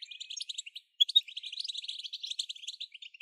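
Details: Excited European goldfinch song meant to trigger nonstop singing: a dense run of quick high twitters and buzzy trilled notes after a brief pause, steady and lively throughout.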